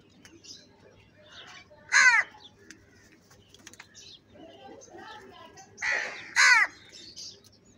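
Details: Crow calling at feeding time: two loud, hoarse caws about four seconds apart, with a softer caw just before the second. Scattered chirps from smaller birds fill the gaps.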